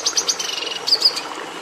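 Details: Red siskin song, a bird admired by breeders for bringing red colouring into the domestic canary: rapid high twittering notes with a short buzzy trill and a few clear whistled accents near the end.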